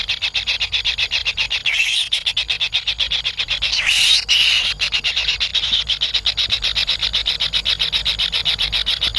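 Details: Wild kingfisher chicks waiting in the nest for a parent's food delivery: long runs of rapid high buzzy pulses, about four per second, with two brief louder rushing bursts among them.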